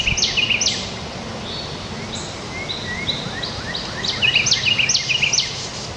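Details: Carolina wren song in its reversed cheeburger, cheeburger, cheeburger form, sometimes ending with a burr: bright repeated two-note phrases high in pitch, rapid and rolling, over steady outdoor background noise with other birds faint.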